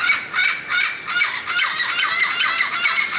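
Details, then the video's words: Turquoise-fronted amazon uttering loud, grating squawks in rapid pulses, about two or three per second, forming a steady harsh chatter throughout. "O Canto do pássaro Papagaio verdadeiro"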